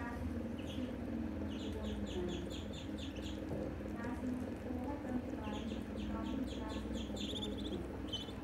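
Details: Ducklings, babies, peeping in short high bursts grouped in clusters, with pauses between runs; a steady low hum runs underneath throughout.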